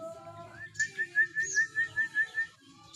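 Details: Cililin singing for songbird training: a steady run of clear whistled notes at an even mid pitch, about five each second, each swelling and fading, after a few fainter introductory tones. A low hum lies underneath.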